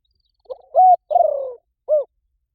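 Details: Spotted dove giving a calling coo meant to draw wild doves into answering: one low cooing phrase of a soft lead-in note, a steady held coo, a longer falling pulsed coo and a short final coo, with no other sounds.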